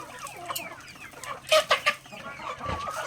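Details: Native backyard chickens pecking grains during feeding; soft clucks and chirps, then three loud quick pecking knocks around one and a half seconds, and a low thump near the end.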